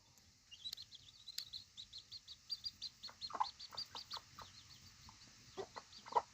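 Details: Three hens with seven baby chickens: high, thin chick peeps repeated in a quick irregular run of short rising notes, with a few louder lower clucks near the middle and the end.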